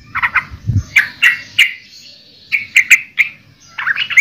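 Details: Yellow-vented bulbul song: short bubbly phrases of warbled notes near the middle-high range, delivered in bursts separated by brief pauses, with faint low rumbling background.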